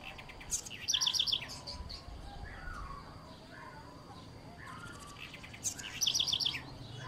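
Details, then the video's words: Song of a house wren (Troglodytes musculus): two high, crisp phrases about five seconds apart, each opening with thin notes and ending in a rapid series of bright chips, with a steady hiss of outdoor noise behind. "O canto da Garrincha"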